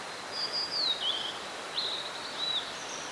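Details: Blue-and-white flycatcher singing in mountains of Nara, Japan, beside a mountain stream on 26 April 2019: clear, high whistled phrases, some sliding downward, others held level, separated by short pauses, over a steady rush of flowing water.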